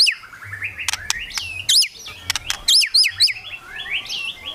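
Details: White-rumped shama kretekan song used to stir rival birds into singing: high, clear whistled notes that swoop up and down, mixed with sharp clicking snaps and short rising phrases.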